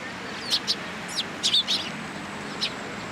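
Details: Sparrows in a cherry tree at a Tenmangu shrine, 24 March 2023. A handful of quick, high chirps, including a tight double burst midway, then one lone chirp over an even background hiss.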